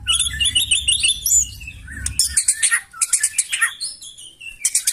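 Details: White-rumped shama (murai batu) singing loudly to provoke other birds into answering: rapid repeated whistled and chattering phrases, high buzzy trills and sharp notes, with a low rumble early on.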